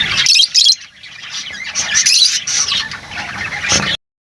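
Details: Lovebirds chattering, a dense mix of high squeaky chirps and harsh squawks with short bursts and pauses, several birds calling over one another.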